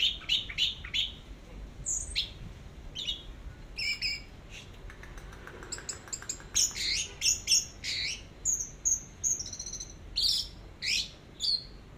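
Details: Orange-headed thrush singing in the teler style, from a long masteran training recording: varied high phrases of sharp chirps, rising slurred notes and thin drawn-out whistles, broken by short pauses, over a faint low hum.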